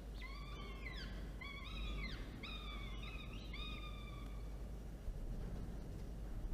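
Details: Falcon family at a nest camera, feeding time on 13 October 2022 at 1:54 p.m. Four or five slurred, down-bending harmonic calls in quick succession, then quieter, ending in near silence with a low background rumble.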